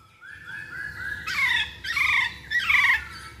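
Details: Masked laughingthrush sound played as a lure to prompt other birds to sing: three soft low whistles followed by three loud harsh, buzzy squawks.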